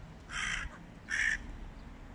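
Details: Two loud, harsh caws about three quarters of a second apart from Hooded crows mobbing a stray cat, with a low outdoor rumble behind.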